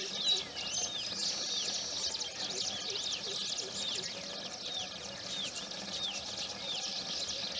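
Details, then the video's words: Morning chorus at a Baya weaver nest site near Udaipur, Rajasthan, India: many birds chatter in quick, high, scratchy chips and short upswept notes, with soft lower calls pulsing rhythmically beneath. "सुबह का समय और पक्षियों की चहचहाहट | The Ambience Around the Baya Weavers Nest"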